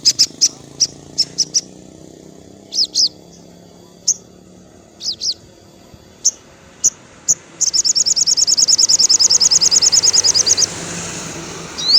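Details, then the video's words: Sogon (crimson sunbird) singing in the afternoon: scattered high chips and paired slurred notes, followed by a sustained rapid trill of thin piercing notes about three seconds long. "suara sogon syahdu sore hari"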